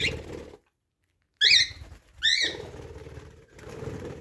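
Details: A pet cockatiel, one of a pair that often argue and fight, gives two harsh, screechy squawks, each sliding slightly downward, over a low background rumble.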